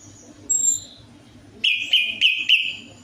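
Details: Orange-headed thrush song used as a singing lure: a high thin whistle, then four rapid clear whistled notes repeated about every third of a second, over a low background hum.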